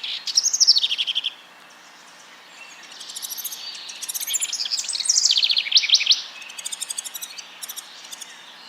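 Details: A House Wren, newly arrived on spring migration in April in Fauquier County, sings territorial song of bubbly, tumbling phrases with rapid high chatters and trills, rising and falling in loose bursts with brief pauses between them.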